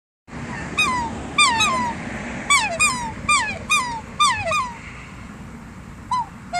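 Black swan giving about a dozen high, musical bugling notes, each rising then slurring down, in loose pairs over a steady background hiss.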